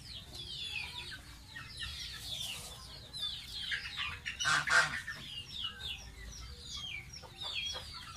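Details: Gosling kept as a pet, bathing and calling in rapid, shrill down-slurred peeps, about four a second, broken by a splash just before the five-second mark.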